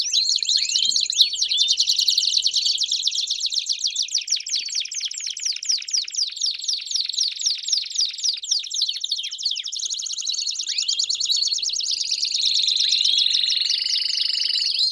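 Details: Belgian canaries singing as a group: long stretch of quick, crowded down-sweeping notes, shifting into louder rolled trills and buzzy tours near the end, singing never pausing.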